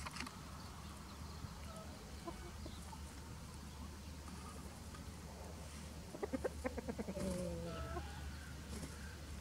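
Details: Chickens with a white rooster guarding his hens while free-ranging in spring; a quick burst of rapid, harmonic clucks comes late, about three per second, over a steady low outdoor hum with faint distant bird notes.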